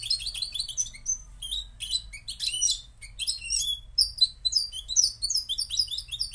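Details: Moroccan European goldfinch singing a rapid, jingling twitter of high, sharp chirps and short trills, tumbling continuously with no pauses, over a faint low hum.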